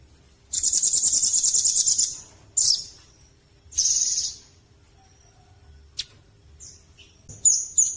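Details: Velvet-fronted nuthatch giving a loud, rapid, buzzy high trill lasting about one and a half seconds, then shorter trills and a few sharp, high chips.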